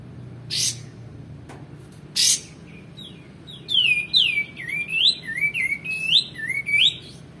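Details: Male white-eared bulbul recorded as a tutor for other songbirds: two sharp noisy bursts, then a lively sequence of looping, rising and falling whistles about every half second.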